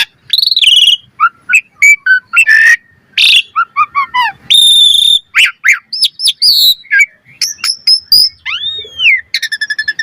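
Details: Asian pied starling training lure in gacor style: a lively mix of clear whistles, descending chirp series, a steady sustained note and a final downward-curving whistle followed by a rapid rattle.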